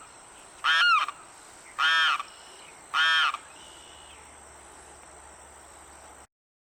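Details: Three loud, harsh wailing cries from a Limpkin in Florida freshwater wetland, each rich in harmonics and roughly a second apart, followed by several seconds of quiet background hiss.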